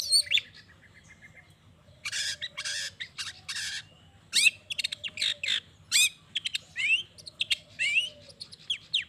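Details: Long-tailed shrike song used to provoke rival shrikes into singing: a varied jumble of harsh rasps, sharp chips and quick upward-sweeping whistles delivered in fast bursts with brief pauses, over a low hum.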